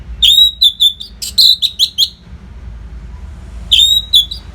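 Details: Masteran training song of an orange-headed thrush for fighter birds, delivered without pause: quick runs of sharp, high whistled notes, a silent stretch, then another burst of whistles.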